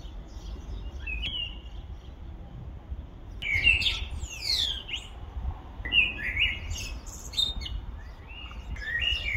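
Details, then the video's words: Male Common Blackbird singing in spring in Vallagarina, Trentino: mellow fluted phrases breaking into higher squeaky twitters, delivered in bursts separated by short pauses over a low background rumble. "IL BELLISSIMO CANTO CANORO PRIMAVERILE del MASCHIO di MERLO COMUNE"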